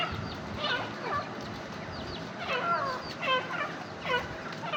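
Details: Partridge (teetar) calling: a series of harsh, curved, descending harmonic notes in short bursts, repeated several times over steady background hiss.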